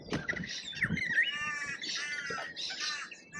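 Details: Rainbow lorikeets at a feeder in Australia give harsh, rasping screeches and chatter that run almost without a break, with soft knocks and clicks underneath.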